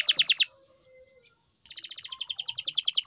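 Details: Brief canary phrases: a few sharp high chopped notes, a pause, then a steady fast rolling trill of bright repeated notes.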